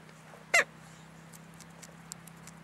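A red-breasted goose gives one sharp, high, squeaky yelp. The rest is quiet apart from a low steady hum and a few faint ticks.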